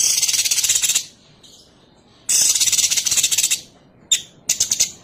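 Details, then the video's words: Sooty-headed bulbul female calling the male, giving two long scratchy rattled bursts of fast pulses separated by a short pause, then a few shorter chattering notes; quiet background between bursts. "cucak cungkok BETINA manggil JANTAN"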